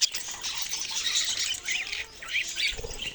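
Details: Several budgerigars twitter and squawk in quick, high, overlapping notes. A short low thud comes near the end.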